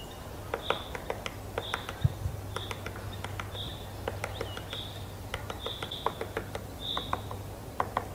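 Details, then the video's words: Woodpecker knocking on wood: sharp, dry taps in an uneven series, roughly two or three per second, with clear whistled calls from other birds and a low steady hum. "дятел стучит"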